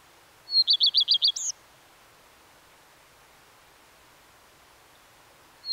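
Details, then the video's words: One short Common redstart phrase: a high thin note leading into about six rapid, evenly repeated chirps and a brief twist at the end, followed by several seconds of silence. "The song of the Common Redstart"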